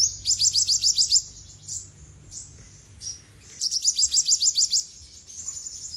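An olive-backed sunbird sings two fast, thin, very high trills of about a second each, separated by a few scattered sharp chips.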